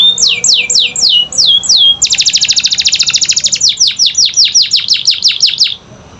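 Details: Canary training song meant to get quiet canaries singing: a few sweeping descending notes, then a fast buzzy rattle, followed by a run of quick downslurred chirps before fading.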